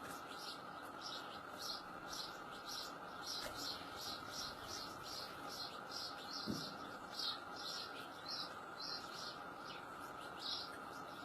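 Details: Wild European goldfinch giving a long series of short, high, tinkling notes, roughly two a second, fairly even throughout, over a steady low hum and background noise.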